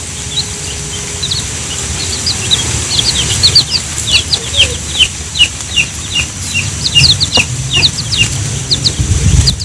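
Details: Chicks with their mother hen as she calls them to feed on soft ripe banana; many short, high, rising peeps overlap in quick irregular bursts, a faint low rumble underneath.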